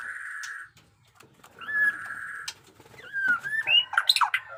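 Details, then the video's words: White-rumped shama, jenggot dewa type in fresh plumage, with batuk koral and muntah beling song: steady buzzy held tones, then twisting whistled slides and rapid harsh, chattering notes building to a loud burst. "pesona AURA MURAI BATU JENGGOT DEWA fighter abis Batuk Koral, Muntah beling murai bisu ngikut nYaut"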